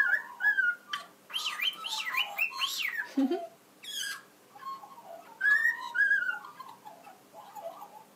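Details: A wild-raised Australian magpie sings a duet with a cockatiel: rich, warbling, fluting magpie phrases mixed with the cockatiel's whistles and squawky notes.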